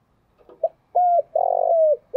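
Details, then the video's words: Morning 'chiêu' coo of a spotted dove with a deep 'thổ đặc' voice. One low phrase: soft lead-in notes, a level hollow hoot, then a long burred note sliding down at its close. "Tiếng chim cu gáy chiêu buổi sáng/ cu gáy giọng thổ đặc"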